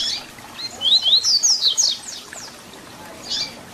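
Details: Papa-capim, the double-collared seedeater, in a 'tui tui zel zel' song for training young birds: a fast run of high rising and falling slurred notes over about a second, then a short faint buzzy note.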